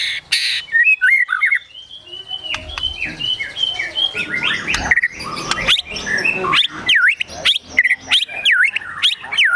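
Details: White-rumped shama singing in agitated gacor emosi style with sogon and kunti mimicry: a varied jumble of whistles building into a fast run of sharp, dipping whistled notes.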